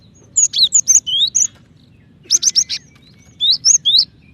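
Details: A female cinereous tit calls for the male with three bursts of bright, high chirps. The notes are quick and slurred, some rising, and the bursts are separated by short pauses.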